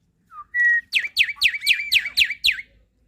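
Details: Javan pied starling, a training recording meant to prompt young and quiet birds to sing: a short whistle and a long flat whistle, then six or seven loud descending chattering notes repeated quickly.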